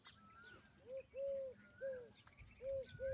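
A peahen gives short, arched, mid-pitched honking notes, five in under three seconds and partly paired, while a thin whistle from another bird sounds faintly behind.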